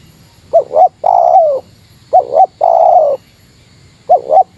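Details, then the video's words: Spotted dove giving a Meratus-style lure call against a rival: two quick rising coos, then a long purring coo that slides down, repeated three times over a faint steady hum. "Suara Burung Tekukur Meratus Lawan"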